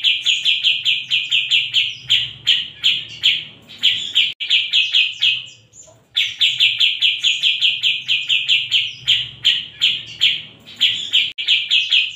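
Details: Bearded bulbul singing: rapid series of bright, clear whistled notes, about two to three per second, in runs of several seconds broken by short gaps, with a faint low hum underneath.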